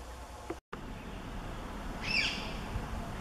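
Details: A common sandpiper (Actitis hypoleucos) gives one brief, high, thin piping call that sweeps down slightly, over a low steady rumble of background noise.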